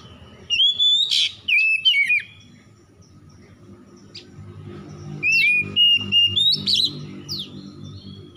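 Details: Oriental magpie-robin (kacer) singing in the early morning, used as a lure recording to get stressed kacer singing again: two bursts of loud, varied whistled phrases with sweeping and rising notes, separated by a pause of about three seconds.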